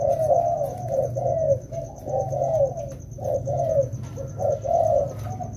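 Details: Rainy-season training of two wild-caught spotted doves. Low, throaty coos run almost continuously, with short dips between notes and a faint hum beneath them.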